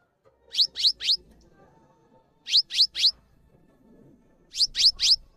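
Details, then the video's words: Cinereous tit song meant for tutoring other birds: three clusters of three sharp, descending high notes spaced about two seconds apart, over faint low background rumble. "GELATIK BATU GACOR ANTENG UNTUK MASTERAN"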